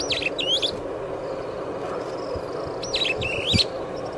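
Superb starling giving two quick bursts of high chattering, whistled notes about three seconds apart, over a steady low rumble of background noise.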